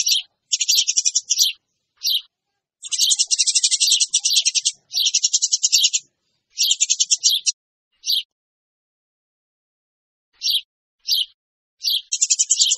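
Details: Lure recording of noisy Eurasian tree sparrows: clusters of quick, rasping chirps alternating with isolated single notes and a long quiet stretch before the chatter resumes.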